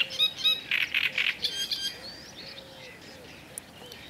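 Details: Black-necked grebe (Podiceps nigricollis), call.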